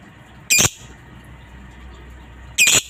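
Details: Lovebird in a master recording meant to train other lovebirds to sing, giving two harsh, shrill squawks about two seconds apart over quiet background noise.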